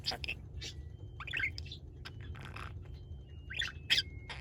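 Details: Pet budgerigar, before its legs became paralysed, chirping along to a washing machine melody: quiet scattered squeaky chirps and short warbles with faint steady tones between them, over a low background hum.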